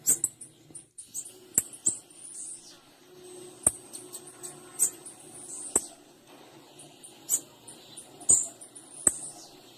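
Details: High, thin chips from a female blue-black grassquit repeat steadily, interspersed with crisp percussive clicks roughly every second or two.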